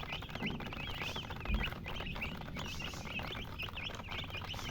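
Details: Baby chicks chirp in quick succession, each peep a short high note rising then falling, several per second, over light tapping and a low rumble.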